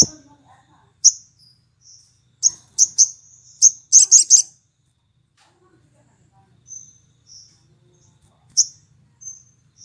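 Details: Sooty-headed bulbul song in the morning, played as a lure so other bulbuls join in and sing: sharp high chirps and short whistled notes in scattered bursts, with a dense cluster of rapid buzzy notes near the middle, then sparse single chirps.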